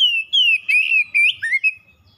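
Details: Pet oriental magpie-robin (kacer) singing loud, clear whistled phrases that slide up and down, broken into short bursts with brief pauses, offered as a lure to set a silent pet kacer singing again.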